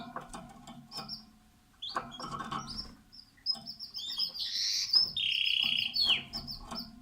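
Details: Song of a canary at the nest: scattered high chirps over a low buzzing hum, building into sustained bright warbled phrases and a loud rolling trill toward the end, with clicks and rustles.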